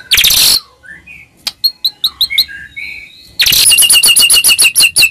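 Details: White-rumped shama lure to provoke a quiet bird: an opening harsh burst, then soft scattered whistles and chips, ending in a loud rapid train of high sharp repeated notes.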